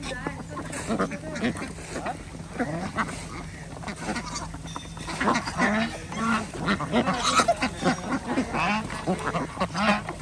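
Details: Ducks at feeding on a village organic farm in Andhra Pradesh, kept with geese and chickens; rough, repeated quacks in clustered bursts about twice a second, growing busier in the second half.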